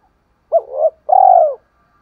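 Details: Spotted dove cooing to prompt wild doves to answer. A short throaty double note swells, then after a short break comes one long, even, mellow coo.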